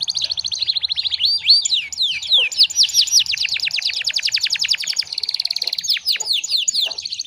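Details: Domestic canary delivering a long, continuous training song meant to get silent canaries singing again: rapid high trills of repeated downward-sweeping notes, switching between fast rattles, buzzy stretches and looping whistled slurs, with no pauses.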